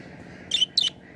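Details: Budgerigar at play on a swing gives two short, scratchy chirps in close succession, sharp and bright, over a constant low hum.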